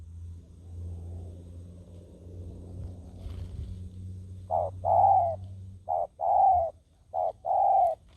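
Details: Decoy spotted dove cooing to draw in wild doves. After several seconds of low rumble, soft, rounded coos start in short bursts separated by brief gaps.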